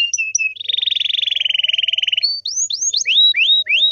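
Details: Canary singing to draw answers from other canaries: a few short whistles, a long steady buzzy trill, then a run of rising-and-falling whistled slurs.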